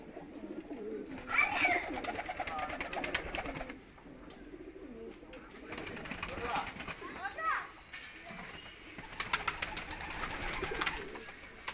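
Low, soft pigeon cooing rises and falls among wing flutters and shuffling in a loft, with a voice and background clatter.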